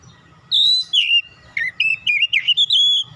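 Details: Oriental magpie-robin (kacer), a young bird being coaxed into full song: loud whistled phrases sliding and warbling between mid and high pitch, several bursts in quick succession, with a faint low hum underneath.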